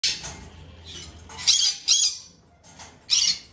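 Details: Two female red-shouldered macaw chicks (Diopsittaca nobilis), hand-fed three times a day, indoors: harsh, raspy squawks in three bursts, each under a second long, with a quiet background between them.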